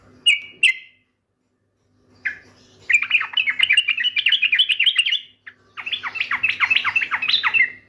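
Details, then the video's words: Yellow-vented bulbul in lively song: two crisp opening chirps, a pause, then long rapid chattering phrases of bubbly, rising and falling notes at a fast pace, over a faint steady low hum. "TRUCUKAN JUGA GAK MAU KALAH BERDENDANG"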